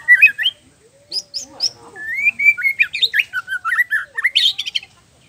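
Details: Murai batu in energetic song intended to anger rival males into showing their repertoire: chipped notes, then a quick sequence of twisting whistled slurs and a high buzzy flourish.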